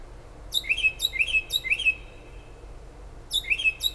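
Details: Unidentified bird singing late at night and early morning outside a kitchen window in Toms River, New Jersey, about five miles from the shore: high, thin slurred chirps repeated in quick groups of three, then a pause and another pair.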